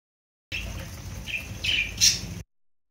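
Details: Pet budgerigar, kept with java sparrows, giving short, scratchy chirps and a sharp high squawk over a low background hum.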